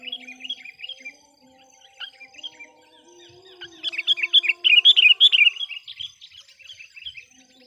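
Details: Trained decoy sooty-headed bulbul calling wild kutilang: lively chirping phrases that build into a loud, rapid run of bubbly notes midway. A faint steady low hum sits in the background.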